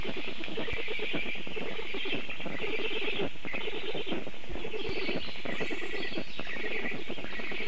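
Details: At a black stork nest in Vidzeme, Ogre municipality, Latvia, on 23 June 2024, chicks being fed breakfast by their father give harsh, rasping begging calls in rapid, continuous bursts over a heavy rumble of wind.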